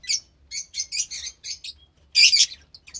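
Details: Two lovebird chicks from white pastel violet and pastel mauve parents, recorded March 3rd, 2021; high, scratchy chirps in short bursts, with a louder harsh squawky burst near the end.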